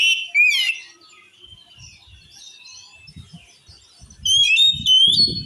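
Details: Oriental magpie-robin song said to provoke other males into fighting: loud whistled phrases and a long wavering note, then bright high whistles after a pause, with low knocking thumps in the background.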